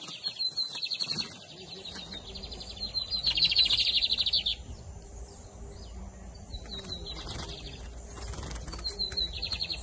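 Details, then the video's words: Double-collared seedeater of the camelão versus torneiro song style, recorded in the 2023 season, singing bright high chattering phrases in repeated bursts with a buzzy trilled section in the middle, over low background hum. "Bigodinho Camelão x Torneiro"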